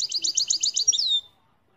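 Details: European goldfinch song described as without mistakes: a quick run of about eight high, bouncing double notes ending in a sliding trill, lasting just over a second.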